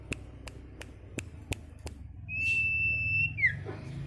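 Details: Sirtu, a caged bird, in a training recording for other caged birds: a single long steady whistled note that ends in a short downslur, after a run of sharp clicks, with low room hum throughout.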